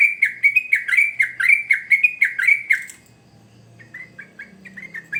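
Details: Sooty-headed bulbul in persistent song as a lure for young birds. Loud, rapid bubbly whistled notes run for three seconds, then a brief pause, then softer, more distant repeats of the same notes.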